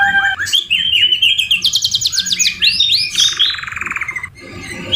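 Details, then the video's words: Canary trained on white-rumped shama (murai batu) phrases: rolling whistled notes, a bright high rattle, arched repeated syllables and a long buzzy trill that stops abruptly. "MASTERAN KENARI MEWAH SAMA SAMA FUL ISIAN MURAI BATU | CANARY SINGING"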